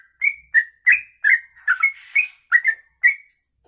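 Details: Sooty-headed bulbul (trucuk), kongslet type, giving its long rapid 'ropelan' song used as a tutoring master: eight or so bright whistled syllables, some slurred upward, each topped by a crisp high click.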